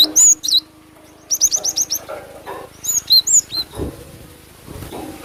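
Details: Lure call of a cinereous tit for drawing in birds: high, slurred whistles, then a rapid burst of five thin piercing notes, followed by more swooping whistles in uneven groups over a quiet background.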